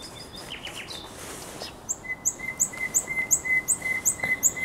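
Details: Nightingale song by the Żerań Canal, night of 23/24 April 2022. Soft high whistles open, then a steady series of sharp high notes, each paired with a lower tone, repeated about three times per second.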